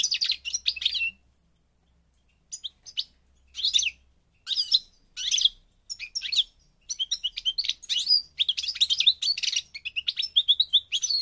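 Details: European goldfinch, parva race, recorded in Morocco, North Africa. A bright twittering phrase, a pause, then separate chirpy bursts that build into a fast, continuous jingling warble by the end.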